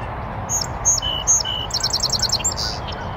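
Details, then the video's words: North American Song Sparrow singing from a bush on a northern USA oak savanna beside a beaver pond: three clear, separated whistled introductory notes followed by a rapid buzzy trill of repeated notes, with low rumbling background noise. "Sweet serenade of a North American Song Sparrow"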